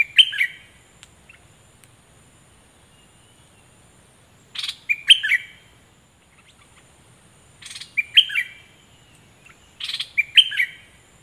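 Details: A cream-vented bulbul decoy bird, recorded 11 July 2021, gives short, bubbly, chattering phrases, each under a second long and repeated every two to three seconds, against a quiet background.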